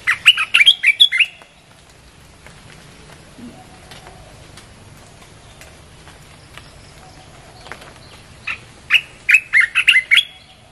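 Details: Red-whiskered bulbul song played to lure wild birds: a burst of bright, bubbly chirped notes at the start, a long quiet gap, then another lively chattering phrase at the end.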